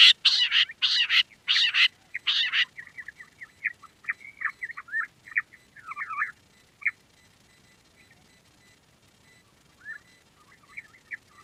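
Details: Quail, called a queen quail, recorded for use as a ringtone: a burst of loud, harsh chirps in quick succession for about two and a half seconds, then fainter scattered twittering notes.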